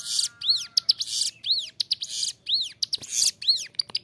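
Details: Clear-voiced ciblek gunung, the bar-winged prinia, in full song for training caged birds: high arching slurred whistles, each followed by a dry rasping buzz, repeated steadily roughly every second.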